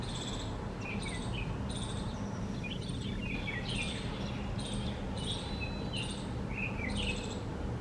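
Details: Bulbul recorded on 17 November, giving short, slurred chirping notes in scattered bursts over about eight seconds, set against a constant low rumbling background and a regular high pulsing insect-like tick repeating under a second apart.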